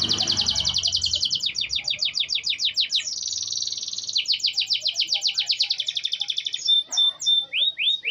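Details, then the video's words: Canary in full song: long, rapid rolling trills of high repeated notes that shift speed and pitch through the phrase, ending with clear whistled notes and short rising sweeps. "suara asli kenari"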